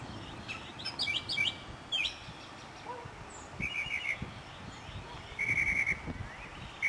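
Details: Spring song of a Northern mockingbird in a city neighbourhood, South Carolina, 2008: varied phrases, a short burst of chirps, then a run of five even whistled notes repeated, other birds in background.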